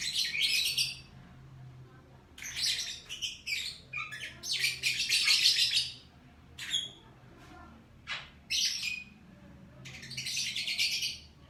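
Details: Lovebird in the morning, giving harsh, buzzy chirping bursts in clusters of one to two seconds, with short scratchy notes between the longer bouts and brief quiet gaps, over a faint low hum.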